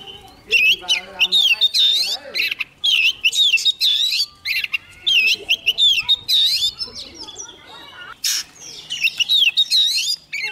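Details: Young Oriental magpie-robin singing eagerly near an approaching wild bird. Repeated phrases of wavering whistles and twittering notes sound over a busier background of lower chatter and scratchy noises.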